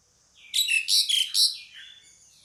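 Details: Pied myna call: a burst of four harsh, grating, squeaky notes between mid and high pitch, followed by fainter trailing chatter.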